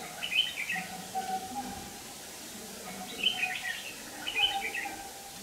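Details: Red-whiskered bulbul singing to fight as a decoy bird for trapping; three bright warbled phrases near the start, at three seconds and at four and a half seconds, with faint lower tonal notes and background noise.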